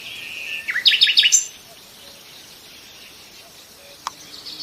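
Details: Nightingale delivering a short phrase of a long whistle and a quick series of sharp descending notes, then quiet with a single click and faint distant song.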